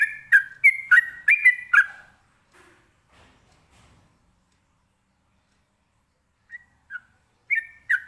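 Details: Trucukan or sooty-headed bulbul giving ropelan-style song to prompt other birds to reply; a quick burst of five sharp whistled notes, a long quiet gap, then scattered single chirps returning near the end.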